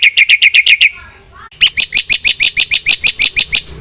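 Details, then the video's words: Black-winged myna singing hard with fill-in phrases: a rapid row of sharp chirps, a short faint pause with soft twitters, then a longer series of loud, evenly repeated bright notes. "suara jalak putih gacor full isian"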